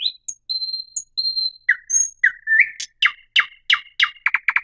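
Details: Thrush nightingale singing a varied phrase: clear high whistled notes, then lower slurred whistles, building into loud, hard, rapidly repeated clicking notes at the end.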